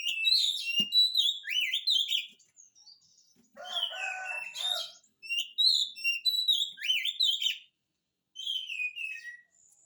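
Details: Lively oriental magpie-robin song meant as a lure for quiet magpie-robins: repeated phrases of sweet slurred whistles and chirps, broken by a harsher, buzzy, grating passage, then more whistled phrases.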